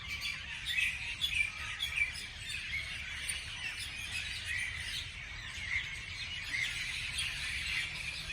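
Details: Chorus of morning birds chirping steadily, with dense high twittering notes from several singers and a quiet low background hum.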